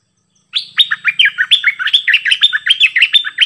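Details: Cream-vented bulbul performing a 'double song' style: a continuous, lively stream of rich, bubbling whistled phrases that rise and fall in quick succession, about three notes a second, with no other sounds.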